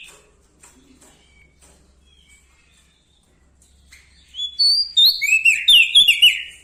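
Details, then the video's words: Bar-winged prinia from Lombok giving loud, ringing song: after about four seconds of near silence with faint ticks, a sudden fast volley of high, sweeping whistled notes and chattering trills bursts out and continues energetically. "Prenjak Daun Lombok gacor Mental Juara Nempel Sama Burung Besar Suara Nyaring"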